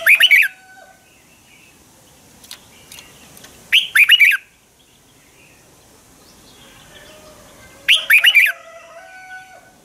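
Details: Red-whiskered bulbul fighting song used to train birds in the morning: three bright, rapid whistled phrases roughly every four seconds, with faint other chirps between.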